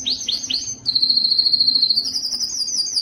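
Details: Canary singing to stimulate males: three quick upswept chirps, then a long even high trill of rapid pulses, slightly rising at the end.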